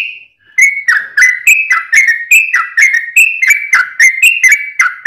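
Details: Sooty-headed bulbul song used to prompt a kept bird to sing: a rapid run of loud, clear whistled notes near one pitch, sharply repeated about once a second with brief rising and falling slurs, no other sounds.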